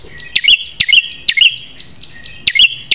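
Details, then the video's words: Prinia song used as tutoring material for captive prinias: sharp, high notes delivered in quick pairs, each opening with a click-like snap then a short whistled tone, repeated about twice a second with brief pauses. "Masteran Prenjak Terganas Suara Pedas"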